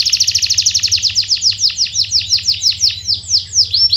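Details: Canary song serving as a lure for silent canaries: a rapid rhythmic train of sharp high notes that gradually widens into looser, sweeping downslurs, clear and loud, over a faint low hum.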